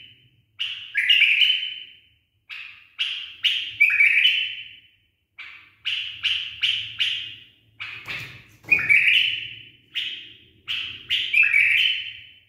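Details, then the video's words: Pet bulbul with a trained song repeats clusters of crisp whistled notes, each cluster ending in a downward slur, with pauses of a second or so. A faint low hum and one dull thud are also heard. "أحلى برواز من زلزال 😍 بلبل أليف تخريج صحيح"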